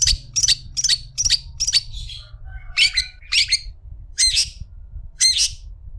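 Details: Long-tailed shrike on a tutor recording for other shrikes. It gives a quick series of five sharp, squeaky, grating notes, then a soft warbled interlude, then several spaced harsh squawks about once a second.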